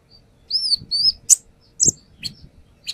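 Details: Brown-throated sunbird lure song with two drawn-out arched whistles followed by sharp isolated chips and a harsh squeaky note.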